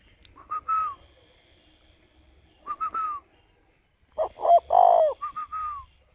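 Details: Male spotted dove still calling at 10 p.m. under a camera flash held close, in northern Vietnam: short slurred whistled notes twice, then a low husky coo series ending in a long purr and a trailing whistle.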